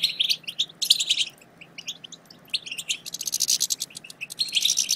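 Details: Fast twittering goldfinch chatter meant to prompt quiet goldfinches into song, mixing high chips, tinkling phrases and a long dense buzzy rattle in the second half, bursts separated by short pauses.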